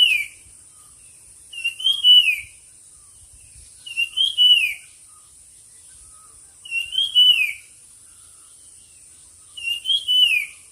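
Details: Competing songbird repeating a loud, pure whistled phrase, rising then sliding down, four times at intervals of roughly two to three seconds, with a steady high-pitched hiss behind.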